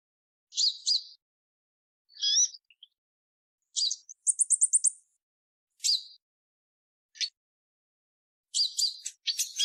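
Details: Purple-throated sunbird giving a mix of slurred double chirps, a quick rattling run of high ticks and, at the end, a busier cluster of squeaky notes.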